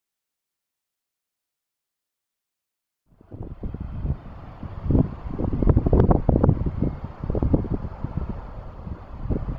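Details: Three seconds of silence give way to gusty wind buffeting the microphone, with low rumbling bursts and no animal calls.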